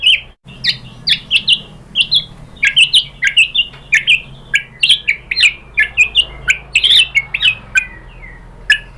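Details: White-rumped shama delivering a lure song to make other shamas respond: a rapid, varied series of short, sharp high chirps and upslurred whistles, densely packed and energetic, with faint low background hum.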